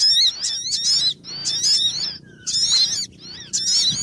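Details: Sogon bird lure call used for trapping birds: loud, harsh, harmonic call bursts with wavering high tones, repeated roughly once a second with short silent gaps.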